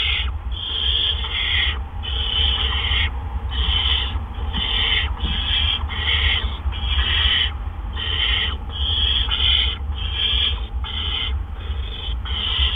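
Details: Barn owls at the nest around 8 PM on April 17, 2013, during back-to-back gopher deliveries by two adults. A long run of harsh, rasping hisses, short and closely spaced, sits over a steady low hum.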